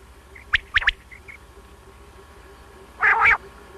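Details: Common quail (batair), recorded for morning and night hunting: a sharp three-note whistled phrase with a few soft short notes, then a low buzzy double grunt.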